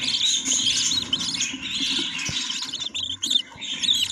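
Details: Budgerigars in a nest with chicks; continuous dense chattering and warbling chirps, busy overlapping high twitters without pause, with a faint low background hum.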